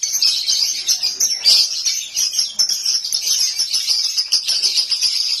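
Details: Home lovebird in continuous song, a loud rush of shrill chirps, squeaks and fast twitters running without pause, one sharper whistled note standing out early on.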